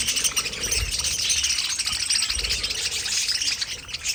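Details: Flock of pet budgies in an aviary: loud, continuous chirping and warbling, high and busy, with a couple of soft low thumps.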